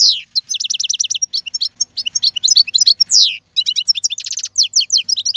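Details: Energetic twittering song of a wild European goldfinch, 2022, continuous fast chirps and buzzy trills with a brief pause mid-phrase before quicker tinkling notes resume.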